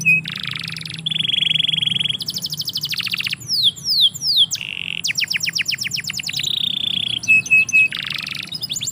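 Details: Canary in a yard pouring out varied song: buzzy rolls, dense rattling trills, steep falling sweeps and a steady trilled hold, with brief short whistles near the end.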